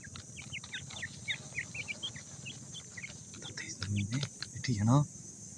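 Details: Chicks of the grey francolin from Punjab utter a run of short, sharp peeps in the first half, followed by louder low-pitched bursts of handling noise.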